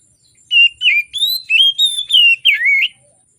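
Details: Oriental magpie-robin singing vigorously in the morning, used as a lure for lazy singers: seven loud whistled notes in quick succession, some level and some swooping down, in a clean setting.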